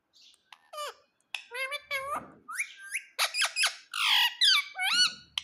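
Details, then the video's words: Pet parrot talking indoors, saying "mitthu": a string of squeaky, voice-like syllables with rising and falling tones, short bursts separated by brief gaps, sounding like chattered imitated words in a small room. "Mitu Mitu Bolne Wala Parrot"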